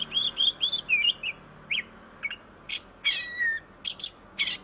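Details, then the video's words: Oriental magpie-robin (kacer): three repeated whistled rising-falling phrases, scattered chirps, then harsh buzzy bursts and a sustained level whistle. "KICAU BURUNG KACER YANG MERDU || MAGPIE ROBIN VOICE"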